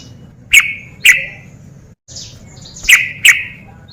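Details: Sooty-headed bulbul (trucuk), part of a 'ropel' lure for lazy singers: four loud, sharp, downslurred chips in two pairs separated by a short pause and a soft rustle.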